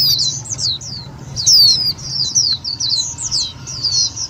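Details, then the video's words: Indian white-eye calling as a trapping lure and to excite other white-eyes: almost unbroken chatter of high, thin, down-slurred chirps, close and bright, low hum in background. "Tiếng chim vành khuyên mồi cực nhạy"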